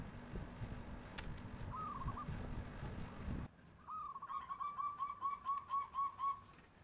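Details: A local zebra dove in nyuling style responds to a passing tofu seller: after a noisy, muffled opening with a brief faint trill, a clear rapid beaded trill runs steadily for about two seconds.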